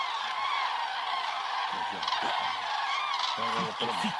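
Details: Cranes massing on the Hortobágy steppe in Hungary during autumn migration, flying in flocks to night roosts in the evening; a steady wall of overlapping bugling calls, with a few low human voices briefly audible in the second half.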